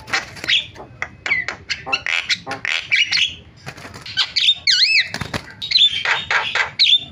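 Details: Starling calls for luring others: harsh clicks and rasps followed by wavering, looping whistles and squeaky notes, with loud broad squawks near the end.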